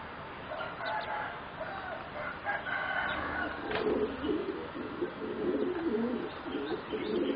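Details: Competition-bred singing zebra doves, four youngsters roughly 3.5 to 4 months old. After a noisy opening, a run of low, rolling, bubbling coos begins near the midpoint and carries on to the end.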